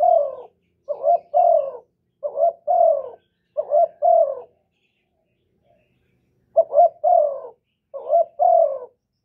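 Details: Spotted dove call and coo, used to stimulate captive males, recorded with no background noise: four paired phrases of short wavering note plus longer falling coo, a two-second silence, then two more pairs.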